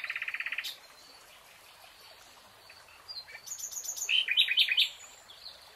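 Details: Forest nightingale song: a short burst of rapid repeated notes, a pause with soft distant chirps, then very high quick pips followed by a loud, accelerating series of buzzy, chattering notes.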